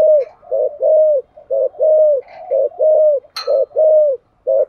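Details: Spotted dove cooing in the 'giọng thổ' voice, played to make other doves coo: a steady run of low, mellow coos alternating short double notes with longer arched ones, with a brief click partway through.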